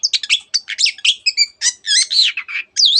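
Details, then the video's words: Long-tailed shrike singing hard with borrowed phrases from canary and many other bird species; a dense, unbroken tumble of high twittering notes and short slurred whistles. "cendet gacor nembak nembak rapat isian kenari dan banyak jenis burung yang masuk masteran"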